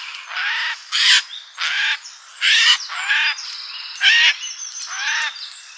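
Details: Feeder birds in a summer garden: a series of separate harsh, grating calls spaced about half a second to a second apart, some louder and buzzier than others.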